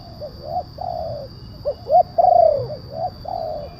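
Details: Spotted dove calling, a loud-voiced lure for attracting wild doves: quick soft coos and longer falling coos, some overlapping and uneven, with a low murmur in the background.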